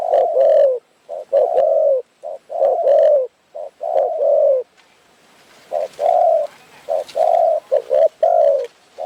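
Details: Thai Spotted Dove from Phrae's forests cooing at a bird-trapping site, the team waiting nearby; mellow low coos in short and long pairs, a brief pause midway, then the series resumes.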